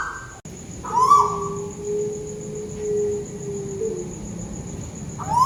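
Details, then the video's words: Tuwu bird in Malaysia calling overhead, one clear whistled note that rises and then falls sharply, with fragments of others at the edges, over a steady low drone and background rumble. "Burung tuwu malaisia lagi bunyi diatas"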